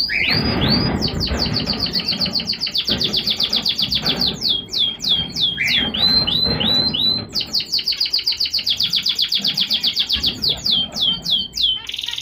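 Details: Zebra finches, several birds, chattering in dense streams of high, sharp, downward-slurred chirps repeated several times a second, with brief nasal notes between runs and faint low background rumble.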